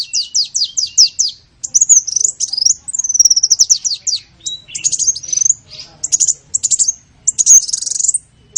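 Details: Lure sounds for attracting small birds: rapid runs of high, thin chirps repeated several times a second, mixed with twittering phrases and squeaky notes.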